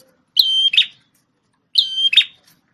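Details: Prinia with a red head, a former tutor bird for a magpie-robin, delivers two loud phrases of a flat high whistle ending in a harsh buzz, about one and a half seconds apart.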